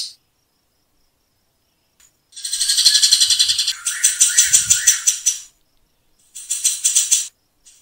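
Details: Grey-cheeked bulbul, known locally as cucak jenggot, in a tutor recording of rough, dense rapid-fire 'tembakan' song: harsh buzzy bursts of rapidly pulsed notes, broken by silences, then a shorter pulsed burst near the end.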